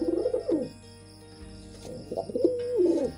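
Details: Low, rolling pigeon coos at the start and end of a short stretch, with a quieter pause between them, recorded during mating, over a constant background hum.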